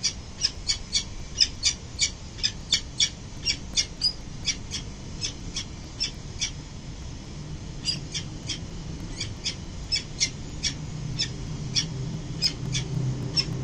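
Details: Peregrine falcon pair returning to the nest on a city building at early morning in November; a long run of short, sharp, high-pitched calls, roughly three or four per second, with low traffic rumble underneath.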